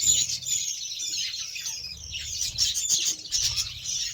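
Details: Budgerigars fed beetroot keep up an unbroken high, scratchy warble, many voices overlapping with brief chirps.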